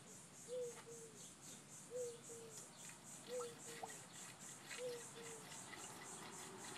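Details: Mourning doves near the chickens by a swing set give soft, low two-part hoo-oo coos, four in a row about every second and a half, over a steady high insect trill.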